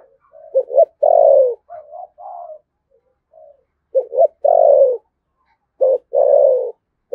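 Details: Thổ sấm-voiced spotted dove from Đồng Nai, Vietnam, giving thúc gù cooing: repeated phrases of quick hoarse double notes leading into a long, throaty, falling coo, interspersed with softer muffled notes. Three full phrases and no background sound.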